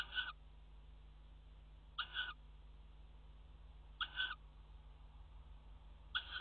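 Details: Tawny owl in a nest box inside a water tower, 5 February 2018, courting and mating on the rim: four brief rasping screeches at a slow two-second rhythm over constant low hum.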